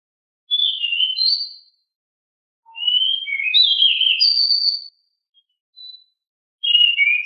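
A Pied Bushchat sings short bursts of brisk, chirpy whistled notes, rising and falling, in phrases about a second long with pauses between; nothing else is heard.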